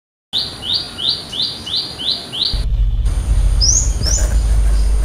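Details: Wild Olive-backed tailorbird calling loudly in a village setting, a call said to draw other birds to answer. A quick series of six sharp, rising high notes, about three per second, then two more after heavy low rumbling noise.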